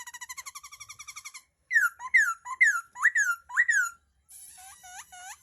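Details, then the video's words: Laughingthrush with a rapid buzzy trill followed by five loud, bubbling whistled phrases that dip and rise, closing on quieter short upswept chirps over a faint hiss. "tiếng chim khướu hót"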